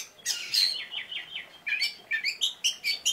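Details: Brief burst of Oriental magpie-robin song with sharp notes: a bright whistle, a short warbled series, then crisp chirps repeated several times.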